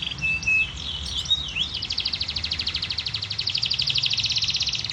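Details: Canary kept for breeding, singing high whistled notes that break into a fast, rapid trill of repeated buzzy pulses, over a steady low background hum.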